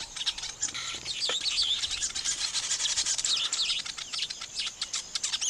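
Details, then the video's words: Weaver birds engaged in nest building produce a harsh, buzzy, rasping chatter mixed with high twittering notes, continuous and dense with brief dips in loudness. "weaver bird sound n nest building"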